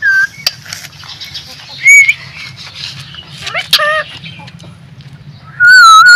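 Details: Green ring-necked parrot talking, with scattered muttered syllables broken by two very loud, clear whistled calls, one near the start of the second half and a sustained one at the close.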